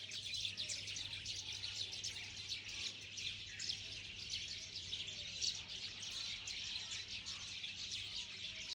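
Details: Steady high chattering chorus of numerous small birds, rapid overlapping chirps forming an unbroken bright texture, with a low background hum.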